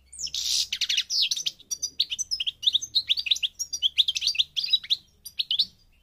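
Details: European goldfinch of the North African parva form from Morocco, singing a fast, continuous twittering run of bright, tinkling and slightly buzzy notes, high-pitched throughout, with rapid slurred chirps in close succession and almost no pauses.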